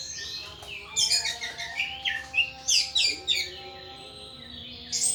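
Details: Anis thrush kept as a pet, singing ngeplong: quick, chattering high chirps and twittered notes clustered in the middle, then a quieter pause before a final sharp note.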